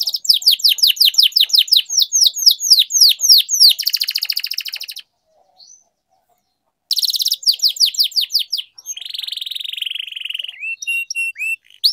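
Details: Canary training song for tutoring young birds: a fast series of falling whistled sweeps, then a buzzy roll, a two-second silence, more sweeps, and a long low rolling trill.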